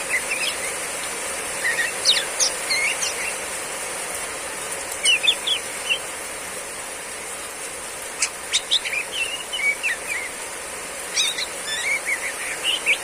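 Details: Female Oriental magpie-robin in heavy rain giving scattered riwik-style phrases: clusters of bright, high whistles and quick chirps every few seconds, with gaps of only rain noise between bursts.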